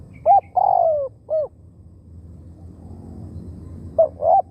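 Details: Decoy Spotted dove calling to draw in wild birds: a rounded coo, a long drawn-out falling coo and another short coo, then a fresh phrase begins near the end; faint low hum behind.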